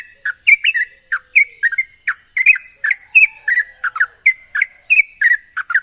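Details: Sooty-headed bulbul song used as a lure to make a caged bird sing, a steady stream of short bubbly chirps and warbled notes at mid-high pitch, about four per second, over a constant high-pitched hiss.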